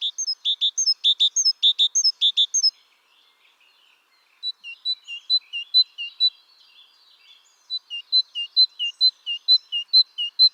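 Great tit singing three varied phrases: a fast ringing burst, then slower repeated two-note 'teacher' motifs, clear and high-pitched, about two notes per second.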